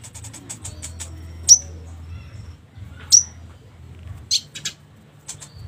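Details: Cucak konin calls meant to prompt a silent konin to answer back: a few rapid high chirps, then two loud sharp whistled notes about one and a half seconds apart, followed by short chirps, with a steady low hum underneath.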